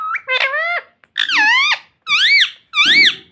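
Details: Four loud, shrill, nasal calls from a pet talking ring-necked parakeet indoors, each lasting about half a second. The later calls rise and then dip in an arching shape.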